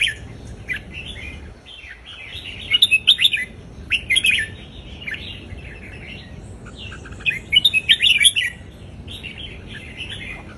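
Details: Southern Thai folk-style singing from an Indonesian-type red-whiskered bulbul, played to teach young birds: two bursts of quick, liquid whistled notes several seconds apart, with continual chirping from other birds behind.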